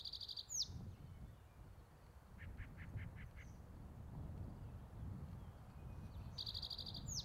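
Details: Male spotted towhee on territory at Metcalf Wildlife Management Area, Nebraska, on May 23, 2023, giving a fast, high, buzzy trill that ends in a slurred note, repeated about six seconds later. A brief series of lower pulsed notes comes between, over a low rumble.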